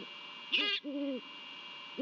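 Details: Male Great horned owl hooting at the nest in Savannah, around 00:34 on 24 December 2021, before a duet and mating: two deep, soft hoots in quick succession, with a brief higher squeal just before and a steady high hiss behind.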